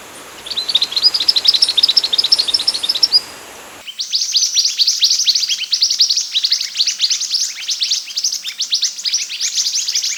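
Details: Scarlet minivet in energetic song for tutoring other birds: rapid, evenly spaced high chirps, then an abrupt switch to a denser, louder stream of sharp ticking notes that continues for six seconds.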